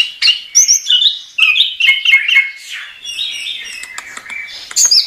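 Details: Chestnut-capped thrush singing vigorously, recorded as a tutor song for training caged songbirds: a rich, fast run of varied whistles, slurred notes and sharp chirps, with bursts of high squeaky phrases and brief pauses.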